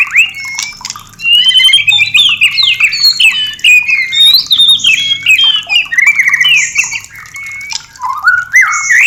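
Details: White-rumped shama singing a varied, high, energetic song played to stimulate breeding and mating: quick whistled figures, sharp upward flicks and warbles linked into a continuous stream with short gaps.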